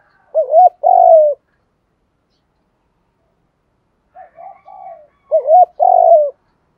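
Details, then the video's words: Spotted dove coos for training decoy doves to answer and spar, from male and female birds. A loud two-part phrase, a wavering note then a long falling coo, comes twice; soft short coos lead into the second. "tiếng chim cu gáy thúc đấu luyện cu gáy mồi gáy theo"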